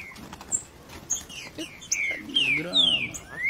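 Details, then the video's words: Green-winged saltator, song style known as three-note boi, giving bright slurred whistles that sweep up and down, with the later phrases overlapped by a low human voice. "TRINCA-FERRO 3 NOTA BOI"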